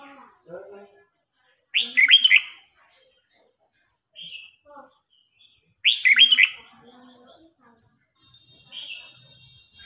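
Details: An old wild-caught red-whiskered bulbul challenging a young bird in a song contest repeats a loud, rich, warbling phrase about every four seconds, with soft chirps between.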